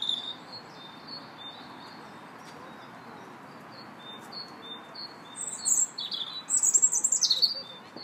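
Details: Robin in a park on 2 March, first giving faint, evenly spaced short whistles, then loud, very high scratchy phrases and a falling twittering warble near the end.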